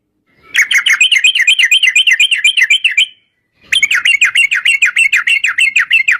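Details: Yellow-vented bulbul in a long rapid-fire burst: two fast runs of wavering, bouncing notes, about six per second, separated by a short pause.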